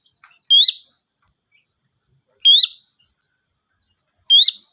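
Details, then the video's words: Three sharp rising whistles from a sooty-headed bulbul used to lure and call the flock, about two seconds apart, over a faint steady high-pitched hum. "Suara Burung Kutilang Gacor, Pikat handal memanggil kawanan"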